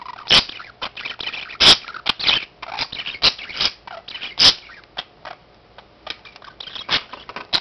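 Budgerigars give quick, scratchy chatter with sharp clicks and squeaky bursts while feeding each other.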